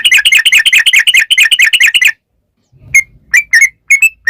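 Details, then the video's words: Sooty-headed bulbul in energetic long rapid-run song, played as a lure to prompt other bulbuls to answer: a fast, dense burst of bright chirping notes for two seconds, a pause, then scattered short slurred whistles. "trucukan gacor ROPEL PANJANG"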